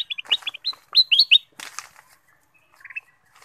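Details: Black-capped bulbul song played as a lure to get other birds singing: rapid clipped, slightly rising chirps strung together in a fast burst, then a brief gap and a softer short phrase.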